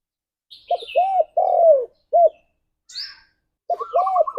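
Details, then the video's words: Spotted dove singing in the morning, a song played to stir mating condition: low, hollow cooing notes in a rhythmic phrase of short and drawn-out coos, repeated twice, with brief high chirps from other small birds between. "Tekukur Gacor Suara - Pancingan Pagi Paling Ampuh Naik Birahi"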